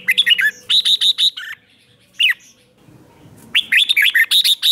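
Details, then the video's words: Red-whiskered bulbul morning song in the ché style, used for training birds: two quick bursts of loud, rich, slurred whistled notes, each phrase of about six to eight notes, split by a pause holding one lone upslurred note. "Luyện chào mào hót sáng, QUÁ HAY - CHÉ KÍCH BỔI CĂNG ĐÉT"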